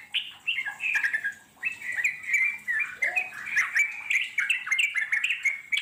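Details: Wild Yellow-vented Bulbul pouring out a long chattering song: warbled, bubbly phrases, with a short lower slurred note near the middle, then rapid bright chirps running on without stopping.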